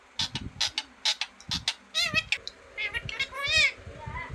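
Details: Green parrot talking: bursts of breathy, speech-like syllables give way to warbling, harmonic voice-like phrases, fairly loud and close, with light tapping sounds beneath.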